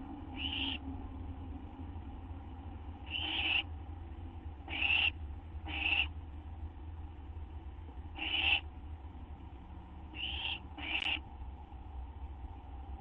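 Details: At a nest just after midnight, 6 September 2011, during a food delivery from male to female owl: a series of rough, breathy hisses, each under a second long, spaced irregularly every one to three seconds, with steady low background hum.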